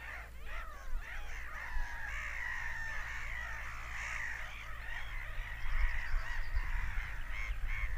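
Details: Seagulls scream in a steady chorus of overlapping harsh cries and long level wails, growing louder toward the end, over low rumbling noise.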